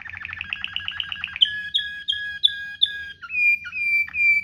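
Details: Waterslager-style canary in rolling 'ngerol' song, a tutor recording for training canaries: a fast buzzy trill of about twelve pulses, then clear ringing whistled notes repeated about every third of a second, and long sliding whistles.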